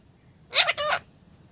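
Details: A parrot lets out a short, harsh two-part squawk, the first burst brighter and the second slightly lower, the whole lasting under half a second over a low hiss.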